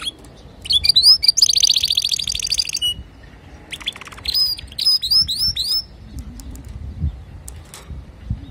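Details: Male canary song for teaching young canaries. Brief chirps and a dense rolling trill, a pause, then crisp upswept whistled notes repeated in short bursts with quiet gaps between.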